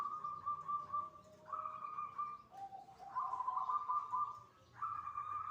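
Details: Zebra dove, locally perkutut, performing its manggung song around midday prayer: continuous rolling coos that step between a higher and a lower pitch, fluttering in volume, with a faint low hum underneath.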